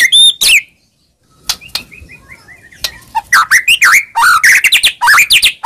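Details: White-rumped shama song used as a lure to provoke a silent shama: opening whistles, a quiet gap with soft notes, then loud varied slurred whistles and chirps.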